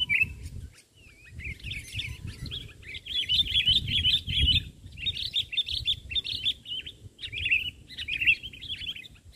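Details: Sooty-headed bulbul singing energetically on the ground during a trapping session rather than from a branch. It gives a dense stream of quick, chirpy, chattering notes in bursts across the clip, with low rumbling background noise.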